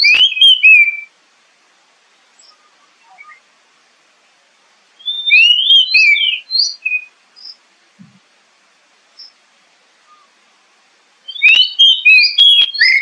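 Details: Oriental magpie-robin song as a lure to make kept birds sing: three separate bursts of loud, fast whistled phrases with slides and twittering, separated by long silences and faint soft notes.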